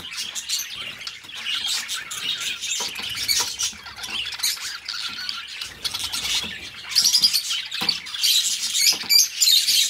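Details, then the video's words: Two pet budgies keep up a long stream of scratchy high-pitched chatter, rapid clicks and squawky notes, fairly steady in loudness, growing louder and brighter with clearer chirps in the last few seconds. "Parrots singing beautiful birds voice beautiful budgies birds sounds"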